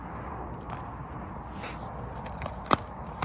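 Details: Only footsteps, scraping and faint rural background noise are heard, with no animal voice. A couple of sharp clicks stand out near the end.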